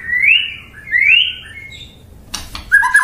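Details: Song of a white-rumped shama, meant to make rival birds answer: two sweeping upward whistles, a few lower held notes, then a sharp clatter and short clipped notes.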